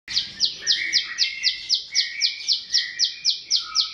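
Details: Bar-winged prinia, a small bird whose song is used to train other cage birds, giving a fast series of identical buzzy high chips, about four per second, steady and evenly spaced, with a lower fainter trill beneath.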